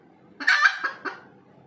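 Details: Red junglefowl after laying an egg gives one loud, rasping drawn-out squawk, followed by two shorter clucks in quick succession against a quiet background.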